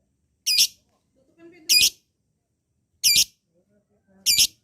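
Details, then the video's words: Lovebird, whose sound is used to provoke lazy-singing birds into long ngekek, gives four separate harsh, high chirps roughly a second apart, with faint low knocks between them. "Suara LOVEBIRD di sukai musuh labet bahan malas bunyi akan cepat terpancing untuk NGEKEK PANJANG"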